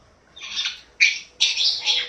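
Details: Pet African grey parrot making noises: three harsh, broad squawks, the first drawn out and wavering, the last two abrupt and starting about half a second apart.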